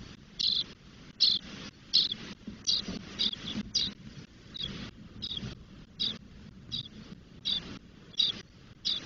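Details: Spotless starling chicks ten days old in their nest in Doñana, Spain: repeated harsh, wheezy begging hisses, about fourteen over nine seconds, fairly even, with a low background hum.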